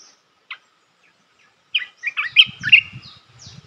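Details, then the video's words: The Red-whiskered bulbul's melodious training song for young birds opens with a lone chip after a pause, then bursts into a jumbled, lively warble of rich notes, with high thin slurs and soft low knocks. "เสียงนกกรงตาแดงEp.168 เสียงหัดนกลูกเสอ เพลงเพราะ น่าฟัง"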